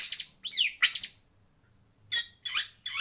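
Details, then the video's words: White-rumped shama singing in a breeding aviary: a few loud high chirps, a bright slurred whistle that falls, then a pause and several more sharp high notes, with a faint low hum behind. "Kicau Murai Batu"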